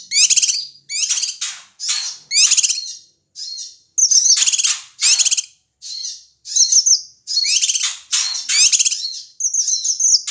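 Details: Ashy tailorbird calling noisily to provoke other birds: a dense, continuous series of harsh, high, rattling squawks with barely a pause between bursts.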